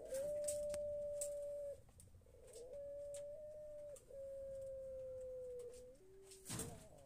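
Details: Barbary dove (puter pelung) long-voiced cooing: long, steady, pure humming coos, three held notes of one to two seconds each, then a brief lower note, over faint clicks.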